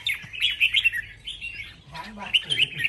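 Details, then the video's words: Red-whiskered bulbuls sing against each other in a contest, pouring out rapid bubbling whistles and chirps in bursts; a brief human voice cuts in midway before the warbling resumes. "CHÀO MÀO ĐẤU HÓT"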